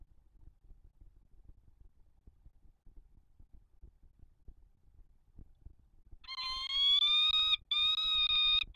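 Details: Male peregrine falcon calling to the female from the spire of the Palace of Culture and Science, Warsaw, on 5 February 2021 at 08:44, before departure; near silence, then loud drawn-out harsh wailing calls in three rapid bursts.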